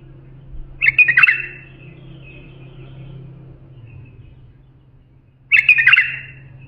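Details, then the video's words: Bulbul song used to teach young bulbuls: two quick, fluty, chattering phrases about four and a half seconds apart, with a low background hum. "بلبل للساناته إبداع يفيد للتخريج صغار بلابل"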